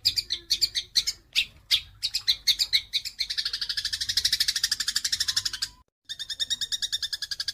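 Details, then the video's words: Fighting Eurasian tree sparrows: scattered harsh chirps build into a rapid buzzing chatter of even notes, about three per second, then a brief silence and the chatter resumes. "SUARA MASTERAN BURUNG GEREJA TARUNG"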